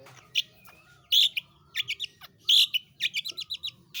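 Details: Long-tailed shrike (pentet/cendet) in lively 'roll tembak' song: loud harsh buzzy bursts alternating with quick chattering runs of short rasping notes and sharp clicks, uneven in rhythm.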